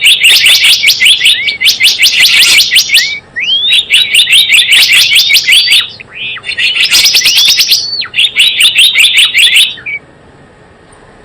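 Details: Java sparrow calling as a lure for bird trapping and as a training model: repeated bursts of fast, high, tinkling chirps, separated by brief rising whistled notes, ending in silence.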